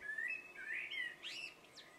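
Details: Common blackbird singing at dusk: rich fluty warbled phrases sliding up and down, ending in a short, higher twittering flourish, with no other clear sounds.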